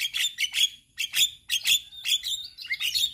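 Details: Male Javan myna chattering song, used as a tutor for other mynas learning sounds: a fast run of bright chirps and short whistles, repeated in uneven bursts with brief pauses between them.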